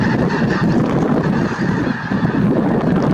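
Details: Massed honking of snow geese at Merced National Wildlife Refuge in January 2023, a loud unbroken chorus of overlapping nasal calls.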